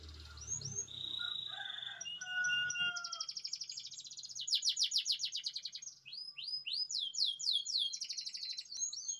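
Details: Canary in full song, described as a constant singer with long rolls: steady whistled notes, then rapid buzzy trills and repeated rising sweeps, about 220 phrases a minute, with a low rumble at the start.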